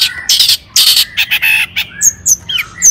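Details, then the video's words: Long-tailed shrike song used to provoke other shrikes into singing: harsh, buzzy bursts in quick succession, then clear whistled notes and short sharp slurs toward the end. "PANCINGAN CENDET AGAR BUNYI"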